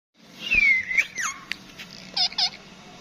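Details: Pet rose-ringed parakeet talking: a drawn-out, falling, whistled squeal, a quick swooping note, then two short, rounded, speech-like syllables in a quiet room.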